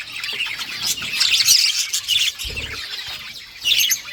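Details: A short burst of budgie conversation: thin, high, trilling chirps and warbles overlap without pause, with a soft knock in the middle.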